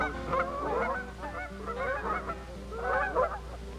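Several Canada geese honk together, loud nasal two-note honks overlapping in bursts about once a second, over a low steady hum.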